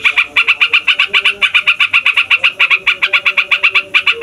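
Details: Long rolling yellow-vented bulbul song, meant to make other songbirds agitated and sing. Sharp, even notes repeat at a fast steady clip for the whole stretch, over a faint low tone.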